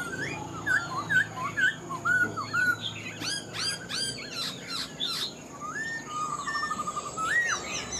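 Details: Black-throated laughingthrush, a caged older wild-caught bird said to sing well with a fine voice: clear whistled notes with down-and-up slurs near mid pitch, then a fast sharp burst and a rippling trilled phrase, with a steady high hiss behind.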